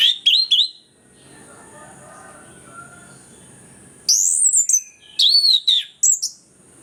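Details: Orange-headed thrush singing actively, a recording meant to coax reluctant birds into song: a few sharp whistled notes open, then after a three-second lull comes a burst of high, arching, slurred whistles; a thin constant high tone in the background.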